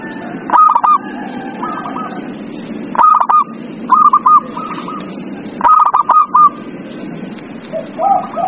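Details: Zebra dove song meant to prompt a silent dove to sing: three phrases of quick, clipped cooing notes about every two and a half seconds, softer lower notes between, and a droning background hum.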